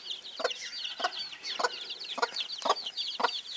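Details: Bantam broody hen leading her young: steady clucks about every half second under a constant chorus of high, downslurred chick peeps.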